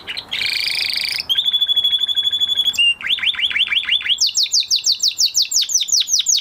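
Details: Male canary singing after moulting: a buzzy burst, an even rapid trill on one pitch, a series of falling slurred notes, then fast repeated high sweeping notes.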